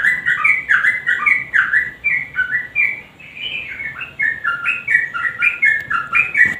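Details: Sooty-headed bulbul singing gacor nguklik with garuda combination, aimed at getting silent birds to sing: dense runs of slurred whistles, some rising and some falling, a brief lull midway, then steady repetition.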